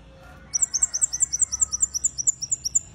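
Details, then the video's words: Red-headed bunting in good song giving a thin, very high, rapid trill of paired notes at about seven per second, steady for over two seconds, over a faint low hum. "Kemade Kepala Merah Gacor"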